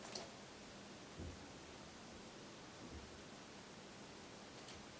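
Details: Steady soft hiss throughout, with a few faint clicks and low thumps and no animal voice.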